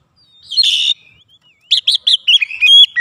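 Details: An oriental magpie-robin stirred up by a lure sings aggressively: a harsh buzzy rasp, then a quick run of clear, bouncing whistled notes ending in a high ringing tone.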